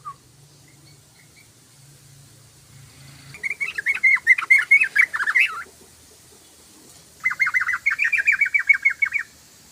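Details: A yellow-vented bulbul sings in two bursts of fast, bubbling, chattering notes, each about two seconds long and separated by a pause. The song is used to attract other bulbuls.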